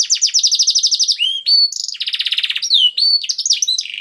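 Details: Gacor canary song with special cengkok phrasing: a rapid, even, high trill, then clear whistled slides up and down, another fast rattling trill and short bright sweeps.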